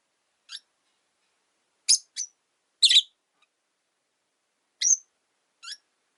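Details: Three rosy-faced lovebirds newly housed in one cage, where the original bird dislikes the newcomer; scattered short shrill chirps, some faint, spaced irregularly over six seconds.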